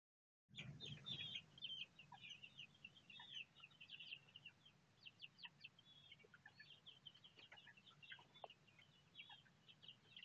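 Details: One of four Bangkok game fowl chicks, 1 month 26 days old, hatched 26 September 2013, gives rapid, high, thin peeps in irregular bursts over a low background hum.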